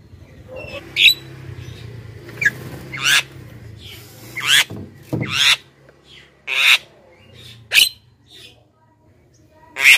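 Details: Lure calls of a jalak kebo, the Black-winged myna, to attract wild birds: loud, harsh, grating notes given irregularly, about one every two seconds, with quieter chatter between.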